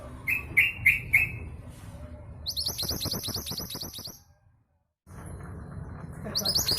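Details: Long-tailed sibia female from East Java, kept as a lure to prompt males into singing; three sharp whistled notes, then a fast run of high, scratchy chirps, a brief silence, and the chirping resuming.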